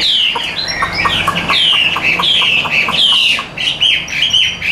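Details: Caged Chinese hwamei, a tame Vietnamese bird singing as its cage is carried, gives loud downward-sliding whistles in quick succession over sharp chattering ticks, the voice even and strong.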